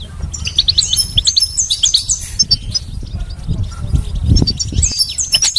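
A goldfinch sings a fast, tinkling run of high twittering notes and bright trills, with a low rumble of background noise throughout.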